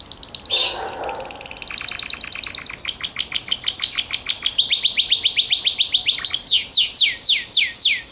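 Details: Gloster canary in full song: long rolling trills of rapid repeated notes, shifting through several tours, growing louder and ending in a series of quick descending whistled sweeps. A brief sharp broadband burst sounds near the start.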